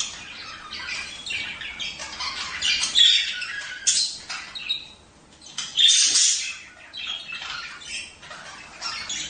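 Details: Budgerigars singing to encourage mating: harsh, chattering warble of scratchy squawks and buzzy notes, broken into uneven bursts with short pauses.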